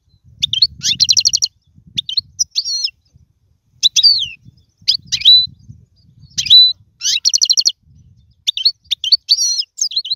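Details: Lone caged European goldfinch singing as a teaching model for chicks; repeated phrases of fast buzzy trills alternating with twittered notes and a held whistle, roughly every second or two.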